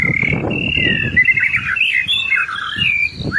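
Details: Loud white-rumped shama, a gacor training bird, giving sustained warbling whistles that waver and slide, with low rumbling noise beneath.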